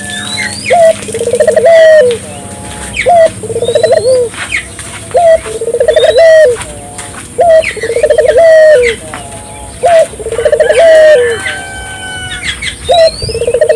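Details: A Barbary dove in full voice, meant to set local doves calling: steady series of rolled coos, each a quick bubbling trill followed by a sustained falling tone, about every two seconds, with thin chirps of other birds above.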